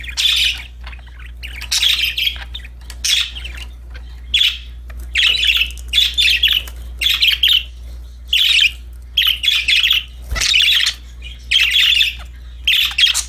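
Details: Cheerful budgerigars playing with a new toy produce a steady run of harsh, buzzy chirp bursts, roughly one a second, each scratchy and bright, with one sharp click partway through and a low hum underneath.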